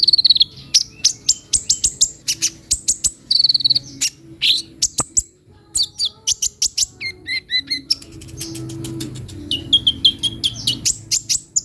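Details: Lively sunbird song of crisp, very high chips in quick series, broken by short buzzy trills and a brief pause midway before the rapid chipping resumes.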